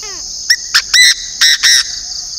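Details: Decoy Chinese francolin from northern Vietnam giving a loud, rasping call of five notes, quick short opening syllables followed by three drawn-out ones, with constant shrill insect hum behind.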